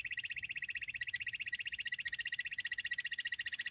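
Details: Bush quail calling in a fast, even trill of buzzy pulses, about fifteen per second, sustained without a break; no other clear sounds.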